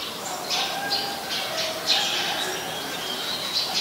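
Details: Eurasian tree sparrow in Ubon Ratchathani, Thailand, 10 May 2020, where it is a very common resident: a run of harsh high chirps clustered early, then sparser single notes, with faint lower tonal sounds and background hiss.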